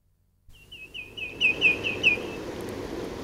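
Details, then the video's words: Common greenshank flight call in Norfolk, UK: a quick run of about eight ringing, slightly down-slurred 'tew' notes, evenly spaced, over a soft crackling background. "Greenshank Flight / Greenshank. Flight Calls"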